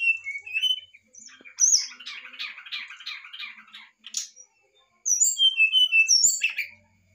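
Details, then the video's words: Brown-chested jungle flycatcher in varied fluting song, used to coax a reluctant bird to sing: clear falling whistles, a burst of fast chattering warble, a pause, then a string of pure descending whistled notes. "pass untuk srdc malas bunyi/pancingan srdc ,sikatan rimba dada coklat nyuling variasi"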